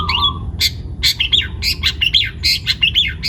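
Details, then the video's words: Young wild-caught long-tailed shrike from Pati, Central Java, singing actively: a rapid jumble of harsh squawks and sharp, bright whistled notes, some sweeping down, delivered in quick irregular bursts over a low background rumble. "CENDET PASTOL MUDA HUTAN (MH) GACOR BUNYI"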